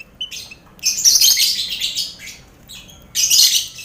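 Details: Lovebirds chattering in a colony cage with finches and quail, used to train contest lovebirds: a brief squeak, then two long swells of harsh, high twittering with a quieter stretch between them.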